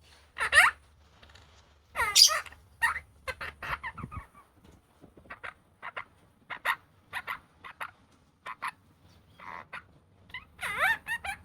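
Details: Opaline monk parakeet, a pet talking parrot, saying a new word: a run of short, harsh, speech-like syllables in uneven bursts, some louder and grating, with brief pauses between phrases and a faint low hum underneath.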